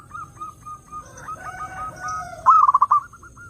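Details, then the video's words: Zebra dove song played to lure other doves: soft, overlapping short coos and fainter warbling notes lead into one loud, quick pulsed trill near the end, followed by a few softer coos. "SUARA BURUNG PERKUTUT _JERNIH_💯AMPUH_SEKALI PUTAR SEMUA PERKUTUT LANGSUNG NYAMBER"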